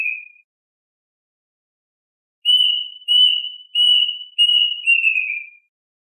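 Plaintive Cuckoo: a brief whistle, then a string of five clear, high whistled notes about half a second apart, the last sliding downward. Nothing else is heard.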